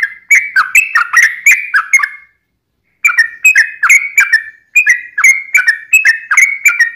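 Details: Sooty-headed bulbul, long-phrased lure song for prompting kept birds to reply: rapid chattering whistled phrases, a clear silent pause near the middle, then the same bubbly run resuming.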